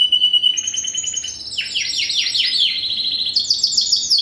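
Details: First-generation Spanish Timbrado canary crossed with wild canary, bred in 2015: a sustained trill gives way to repeated downward-swooping notes, ending on a bright, rapid high trill.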